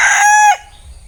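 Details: Closing part of a bantam rooster's crow: a loud, harsh, held note that ends in a quick falling slur and then drops into quiet background hum.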